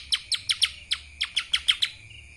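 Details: Kapas tembak style song from a lesser green leafbird: a brisk series of about ten clear, sharply falling chirps, slightly uneven in spacing, with a faint steady hum in the background.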